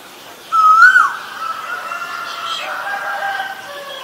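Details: Asian koel giving a single loud, clear whistled note that rises and then drops sharply, lasting about half a second, followed by a fainter lingering tone and soft background bird chatter.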